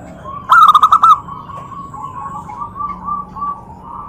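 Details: Zebra dove calling to draw answers from other doves: one strong, quick series of about six bubbling coos, followed by softer, distant cooing notes trailing on over a faint background hum.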